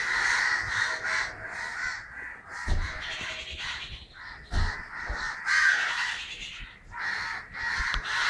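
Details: Kerala, 9 December 2012: crows calling in harsh, separate bursts of cawing that come in uneven clusters, with brief quieter pauses between the louder flurries.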